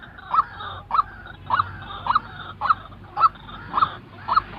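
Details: Real white-breasted waterhen calling, used to train decoy birds for trapping; harsh rising notes repeated about every half second, eight in a row, over faint background noise.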